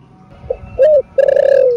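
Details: Spotted dove song in the 'thổ rền' voice, played to spur caged males: a faint soft note, a short arched coo, a pause, then a long, slightly wavering coo that gradually drops in pitch.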